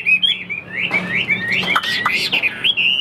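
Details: Caged Chinese hwamei singing short rising whistled slurs, then a denser patch of overlapping notes and clicks, with a steady low hum underneath.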